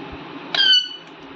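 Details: Rose-ringed parakeet, called an Indian parrot: one brief, clear tonal squeak with stacked bright overtones, held level for about a third of a second, then quiet room noise.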